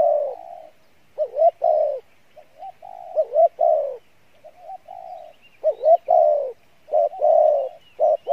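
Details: Spotted dove, Pha Bài Lối style, good voice. A long run of low mellow coos, with wavering rising notes before drawn-out hollow tones, closely packed with frequent short pauses. Faint chirping in the background.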